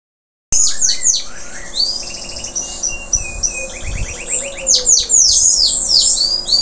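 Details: Local canary just after moulting, still singing vigorously: a burst of high, sweeping whistled notes, then a run of rapid repeated trills, ending in loud cascading downward-slurred phrases. A constant low hum sits underneath.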